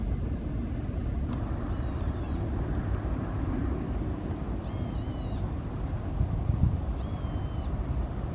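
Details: Endangered California gnatcatcher in southern California coastal scrub at Peters Canyon Regional Park or Upper Newport Bay, late November or early December, giving three wavering, nasal mew-like calls spaced about two to three seconds apart over steady low rumbling background noise.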